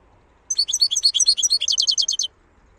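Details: Wild European goldfinch, known locally as khalawi, from Algeria, delivering a rapid jangling phrase: dense high twitters that settle into a steady trill of repeated bright notes before stopping abruptly.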